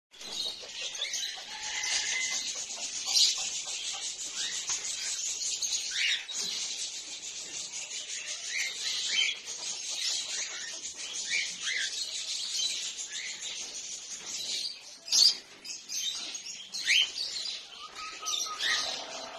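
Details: A flock of cockatiels in a breeding aviary keeps up a dense, overlapping chatter of shrill chirps and short whistles.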